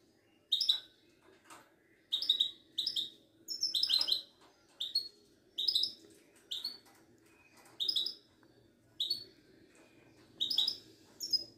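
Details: Caged Moroccan goldfinch of the Widani type, a singing bird kept by breeders and shown at a Casablanca bird market, delivering bright twittering phrases of rapid high chirps and trills in short bursts separated by brief pauses, over faint low room hum.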